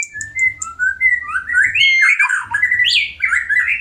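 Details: White-rumped shama in breeding condition singing for a mate: sliding whistles rising in pitch, then a dense tumbling burst of warbled notes, with a soft low hum underneath.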